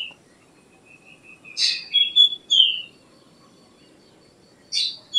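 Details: Black drongo (Dicrurus macrocercus) giving a burst of a harsh rasping note, then two bright whistled notes and a falling slurred whistle, followed after a pause by a short sharp note; a faint steady thin tone runs through.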